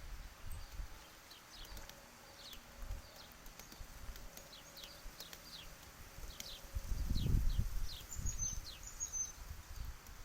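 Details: Downy woodpecker pecking at peanuts: a cluster of dull, low thumping knocks builds to a loud burst near the middle, while other small birds give thin, high, falling chirps throughout.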